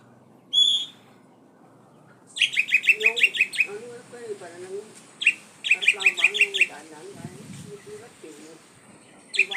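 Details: Singing strongly, a kacer poci (Oriental magpie-robin) opens with a lone sharp whistle, then pours out long bursts of fast, scratchy repeated notes. Low murmuring sounds continue underneath.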